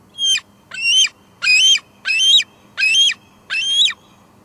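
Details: Close, loud squees from a female bald eagle at her Two Harbors nest on a July 2022 evening, recorded by a nest camera: six evenly spaced, strident high notes with rich overtones, roughly 0.7 seconds apart, in near silence.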